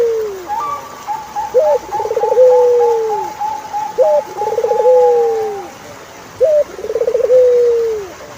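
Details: Turtle dove song of repeated phrases, each a short high note, a quick throbbing trill and a long falling coo. Another bird adds a thin, steady warbled whistle above it for several seconds.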